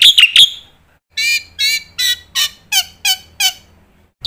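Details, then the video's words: Black-winged myna master song with filler phrases for young birds to learn: three sharp opening notes, then a steady string of about eight harsh, falling chattered notes, each roughly a third of a second apart. "suara pancingan burung jalak putih gacor full isian masternya bikin jalak muda cepat bongkar isian"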